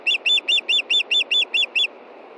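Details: Nine urgent, high-pitched whistles from a female osprey calling for fish shortly before dark, Montana, 9:53 p.m., 22 June 2013, delivered in a tight, regular rhythm.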